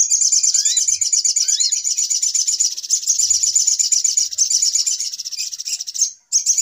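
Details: Little spiderhunter lure call for trapping birds: an unbroken, piercing, fast chattering trill, with a few low upslurred whistles near the start and a brief dropout before the end.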